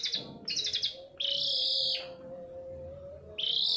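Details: Long-tailed shrike, played as a lure to make other shrikes sing: harsh buzzy chattered notes in short bursts, then a long grating buzz and another burst, with a steady low hum underneath.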